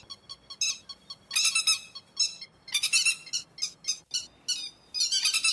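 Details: Grey-headed lapwing lure calls for night net trapping: a soft run of short clipped notes, then louder grating bursts in quick succession, some doubled, over a quiet background.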